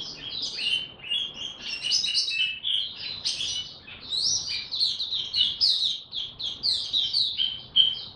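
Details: Oriental white-eye songbird, ramping up form and singing 'buka tiong aw': a long, unbroken flow of high, rapid twittering and chirping notes, bright and busy throughout, with a faint low background hum.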